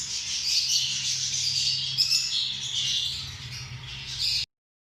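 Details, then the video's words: Continuous high, grating squawks and chirps from lovebirds, small social parrots, forming a dense unbroken chatter for about four and a half seconds before cutting off abruptly; low hum beneath. "Amazing sound of love birds"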